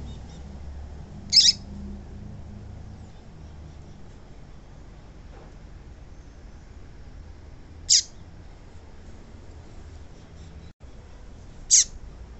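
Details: A female yellow-bellied seedeater gives a call meant to get males singing: three brief, piercing high chips at irregular gaps of four to six seconds, with a faint low hum in between.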